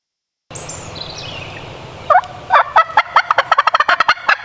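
A turkey's fast, rattling gobble: a burst of throaty, bubbling notes tumbling out several per second, following a brief faint high whistle.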